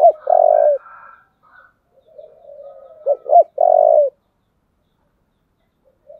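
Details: Spotted dove giving its 'giọng thổ' fighting call: a loud hooked note and strong steady coo, a soft buzzy wavering stretch, then two clipped notes and another long, full coo, then silence.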